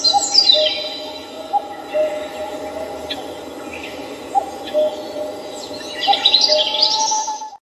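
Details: Park birdsong in Seoul at Samcheong Park in the morning, with sparse high chirps early and late and a burst of twittering near the end, steady hum beneath.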